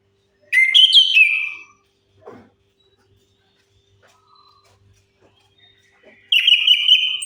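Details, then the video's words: Lure song of an orange-headed thrush meant to prompt silent birds to sing: two bright whistled phrases, one early and one near the end, separated by several quiet seconds with only faint clicks. "Anis Kembang Macet Bunyi"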